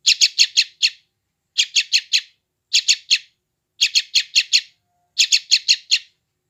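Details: Yellow-vented bulbul chick recorded on an Android phone in West Java, used to calm and tame newly caught wild bulbuls: harsh high chirps in tight bursts of four or five, five bursts about a second apart, no other sounds.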